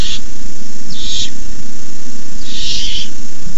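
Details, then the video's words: Nestling barn owls give rasping hisses during a nighttime rabbit delivery by an adult, May 2015; two long, broad noise bursts nearly half a second each, plus a clipped one at the start, over low droning hum. "Owlets hiss."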